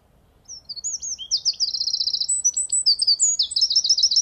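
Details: Male Eurasian wren singing to mark territory: a loud, hurried song of very high, sharp notes that run into rapid, sonorous trills. Several fast rattling trills follow one another over about four seconds in a quiet setting.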